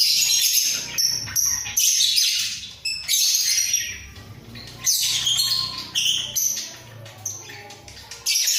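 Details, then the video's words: Budgerigar pair kept in a breeding cage, bobbing their heads: choppy, squawky chatter and brief whistled notes in irregular bursts, with a low background hum throughout. "Sepasang Burung Parkit Gacor"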